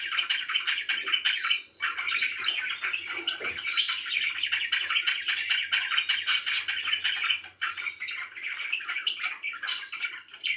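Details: Several contented pet budgerigars chirp and warble continuously, a thick layer of high twittering with occasional thin whistled notes and brief squawks standing out.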